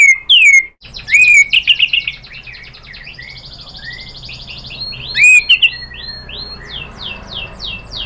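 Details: White-rumped shama lure song: loud downslurred whistles and a rapid warbling series, then quieter high buzzy phrases, another burst of whistles and a descending run of sharp notes.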